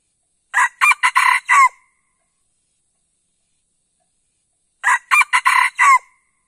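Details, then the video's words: Red junglefowl crowing twice, each a brief, clipped crow of four harsh broken notes ending abruptly, about four seconds apart with silence between; a call used to lure wild junglefowl and draw answering crows from the forest. "Pikat Ayam Hutan Pakai Suara Ini"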